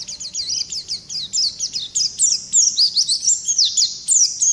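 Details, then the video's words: Oriental white-eye of the ngalas type singing a long, continuous rolling song: rapid high twittering notes with fast rising and falling slurs, packed closely at about three per second with no pauses. "Pleci Ngalas Gacor Ngerol Durasi Panjang"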